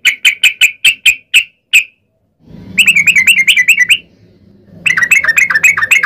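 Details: Yellow-vented bulbul (trucukan) in long rapid 'ropel panjang' song, played as a lure for other bulbuls: evenly spaced sharp chirps, a short silence, then quick bubbly trills over a faint background hum.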